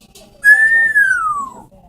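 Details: A single long parrot whistle, pure and steady at first, then sliding smoothly downward in pitch before stopping.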